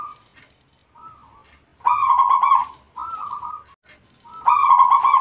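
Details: Zebra dove, Bangkok strain, singing actively: soft lead-in notes followed by two loud, burry, rolling coos separated by a quieter wavering phrase.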